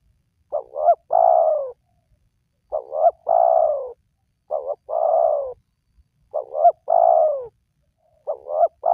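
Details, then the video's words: Wild-dove lure recording of a spotted dove: a wobbling two-part hoot, then a mellow, drawn-out coo that drops slightly. The phrase repeats steadily, five times in nine seconds, over near silence. "Pemancing Burung Tekukur Yang Malas Bunyi,Langsung Rajin Bunyi"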